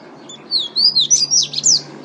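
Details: Double-collared seedeater (coleiro) of the 'pateta' song style from Natal, Rio Grande do Norte, Brazil, singing a short fast phrase of high whistled, slurred notes that rise and fall, with a faint low hum behind.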